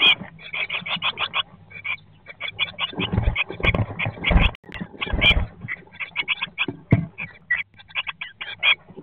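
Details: Blue tits in a nest box on day 19 after hatching, in 2022: rapid runs of squeaky chirps, several per second, broken by loud scuffling and thumps of movement inside the box.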